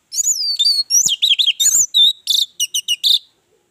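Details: Orange-headed thrush song used to draw other birds into singing: a continuous, varied run of high whistles, slurred loops and quick chirping notes lasting about three seconds.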